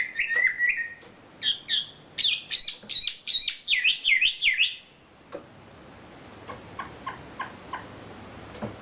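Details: Wambi bird, a champion singer, delivering kicau isian filler song: a descending whistle, then a rhythmic run of rapid wavering high notes, followed by soft, evenly spaced chips.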